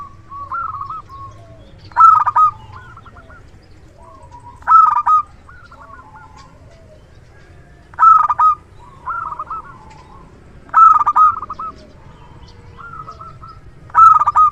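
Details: Local zebra dove, a loud and frequent singer used as a lure decoy, repeats its vibrant rolled cooing phrase five times, roughly every three seconds, each followed by a few quieter stuttered coos.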